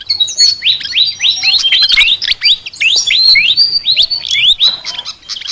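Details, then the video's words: Chattering flycatcher song, described as highly unusual: a fast, continuous stream of high whistled notes, many sweeping sharply upward, tumbling together with barely any gaps. "BURUNG SIKATAN NGOCEH TER UNIKK"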